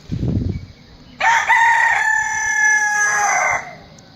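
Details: Rooster crowing: after some low rustling, a single loud, harsh crow begins abruptly and stretches into a long, rough sustained note lasting over two seconds before stopping.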